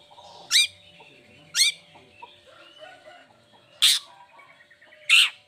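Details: Vocal long-tailed shrike used as a lure so lazy or moulting shrikes keep singing. Four loud, piercing downswept whistles are spaced about a second or more apart, with soft chattering notes between them.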